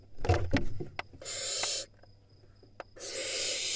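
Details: Wild barn owl nestlings in an Israeli nest box, screaming at a sibling at the entrance; low thumps and scuffling open the clip, then two drawn-out rasping, hissing screams separated by a quiet pause.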